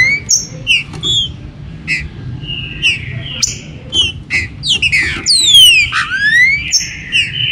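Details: Green-winged saltators, captive, 2022-season warm-up to make birds active: short repeated notes and a held whistle at first, then a cluster of steep descending harmonic calls from five to six seconds.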